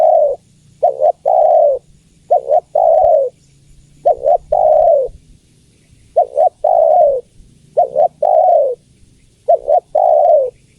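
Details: Female spotted dove calling for the male, phrases delivered in quick succession: a paired short hoot, then a sustained falling coo, repeated about six times in eleven seconds, with a faint background hum.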